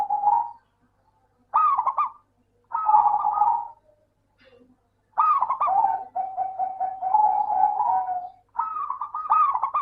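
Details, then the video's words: Local zebra dove song played to coax silent doves into calling: several short cooing bursts, then a sustained rapid trill of even staccato notes ending in a warbled, wavering phrase. "Suara burung Perkutut Lokal - PINTAR PANCING PERKUTUT MALAS BUNYI"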